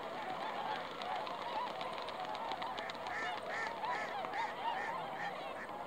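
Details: Swans on a foggy lake, recorded 20 December 2016; a dense chorus of nasal, honking calls from several birds overlapping throughout, short rising-falling notes repeated in quick irregular succession over a steady background hiss.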